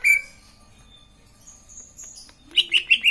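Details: Green leafbird, sung to get other leafbirds to answer: bright high chirps and a brief whistled note, then a pause and a fast run of four sharp, ringing notes near the end.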